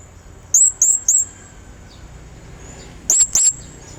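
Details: Blue-crowned hanging parrot, calling energetically as a lure to summon a rival: a quick run of three shrill, very high upslurred chirps, a pause, then two more, with a constant thin high tone behind.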